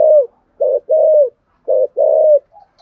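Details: Spotted dove in the 'thổ sấm' voice style delivering its full song: five rich, low coos in quick succession, short clipped notes alternating with longer drawn ones, then a faint trailing note.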